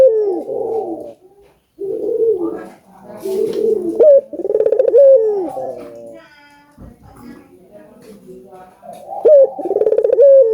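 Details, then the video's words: Collared dove, albino bird, cooing played to stimulate other doves to call: low, hoarse, rounded coos in repeated phrases with short pauses, some phrases ending in a brief higher lift, in a small indoor room. "Suara Burung Puter Gacor ,merangsang burung puter agar bunyi"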